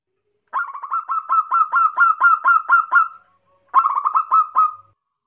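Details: Zebra dove, a local bird, singing kerot nguwor loudly as a lure for other doves: a long run of about a dozen rapid, bubbling coo notes, a brief break, then a shorter matching run.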